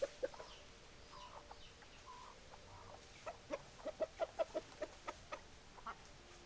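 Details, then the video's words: Hens feeding with a rapid burst of short, even clucks, around eight in two seconds. Scattered pecking taps come before and after the burst. "Food for Rooster Funny Chicken Sounds Noises! Hens Clucking Roosters Crowing!"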